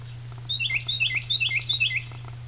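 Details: An unknown songbird, which also sings at 3 AM, heard at noon in mid-March 2009 beside a flowering orchid tree in San Antonio, Texas: a rapid series of clear, high, down-slurred whistled notes, about a dozen, over a constant low electrical hum.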